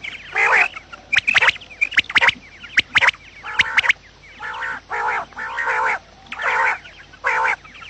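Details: Quails calling in the morning, recorded to attract them for trapping: sharp clicking chirps at first, then a steady series of nasal, harmonic bursts roughly once a second.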